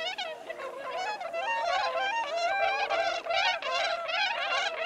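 Bewick's swans calling together in a flock, a dense overlapping babble of soft, musical yelps and honks running continuously, several birds at once.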